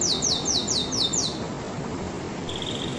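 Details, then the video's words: About six quick, high descending notes from a canary are repeated evenly, then a pause and the start of a faint trill. Background hiss. "تغريدة طائر الكناري"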